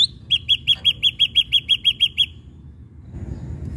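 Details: Lively ashy drongo on a lure recording meant to provoke other birds to sing: a fast, even series of about a dozen sharp chipping notes, then a pause with faint low rumble.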